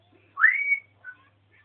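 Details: African grey parrot kept as a pet, ranting: one clear upward-sweeping whistle that levels into a steady high note, followed by a brief softer chirp and a faint low hum in the background.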